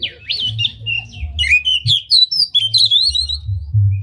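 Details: Tail-spreading oriental magpie-robin delivering a unique song meant to provoke rival magpie-robins: a fluid run of varied whistled slurs, some rising, some falling, tightly strung together, with a low humming background.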